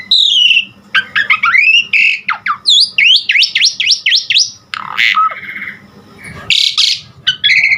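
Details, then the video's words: Asian pied starling singing a varied training song for cage birds: sweeping whistled slurs, rapid falling and rising notes in quick succession, squawky bursts and rasping notes, with a faint steady hum underneath. "Pancingan Jalak Suren GACOR Variasi Ampuh Buat Masteran Suara Burung Jalak Agar Tambah GACOR Isian"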